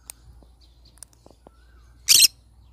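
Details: Pineapple conure giving a single loud, harsh screech lasting about a fifth of a second, broad and rasping, after a few faint clicks and taps in a quiet room with low hum.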